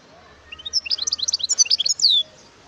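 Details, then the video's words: Wild European goldfinch singing a quick, tinkling phrase of high twittering notes lasting about one and a half seconds, climbing in pitch and closing on a longer buzzy note that slides downward, with a quiet background. "اسمع صوت الحسون البري"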